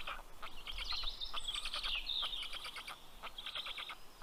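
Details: Black stork chicks greeting the parent carrying fish at their Karula National Park nest in Estonia, June: rapid rasping pulses, roughly three per second, with a high bird chirp overlapping and a low rumble underneath.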